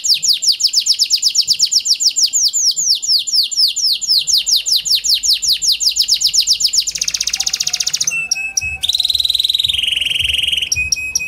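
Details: Kenari Panda canary song used as a lure for reluctant singers: a fast train of falling trilled notes, then a dense buzzy trill, then sustained pure whistles and clipped chips.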